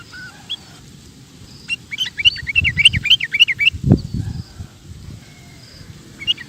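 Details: Sooty-headed bulbul in energetic song, used to train cage birds: a fast cluster of bright, twittering, bubbly notes midway, with isolated chirps before and after, over noticeable low rumbling background noise.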